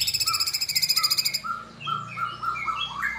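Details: Sooty-headed bulbul song opens with a rapid high pulsed series, then gives bubbly whistled notes that rise and fall in quick sequence, with a soft low hum behind.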